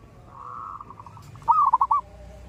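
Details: Zebra dove heard in the morning over steady background hum: a faint drawn-out coo, then a louder short burst of four or five quick rolling notes.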